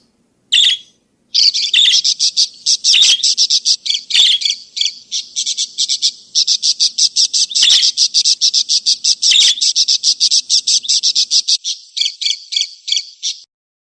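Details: Budgerigar chatter used as a lure for escaped birds and tutor for others: one lone chirp, then a long steady stream of fast chirps with periodic harsh, crackly bursts, ending abruptly.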